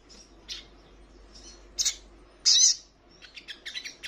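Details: Female crimson sunbird in breeding condition calling to the male: scattered thin, very high chirps and short sharp notes, each a fraction of a second long, separated by quiet gaps, with a brief fluttering run near the end.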